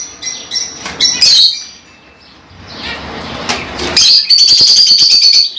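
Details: Scattered lovebird chirps lead into a loud, sustained buzzy trill of rapid pulses over the final second and a half.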